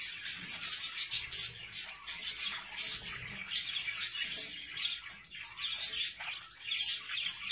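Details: Budgerigars kept with their chicks: a dense, unbroken chatter of high, scratchy chirps and warbles from several birds overlapping throughout, rising and falling in loudness, over a faint low background rumble.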